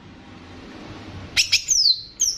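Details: Greater green leafbird of the Banyuwangi type, used as a training recording to raise leafbirds' excitement and mixed with bebeci calls. After a quiet first second come sharp high clicks, then a bright descending whistled note and a short final high note.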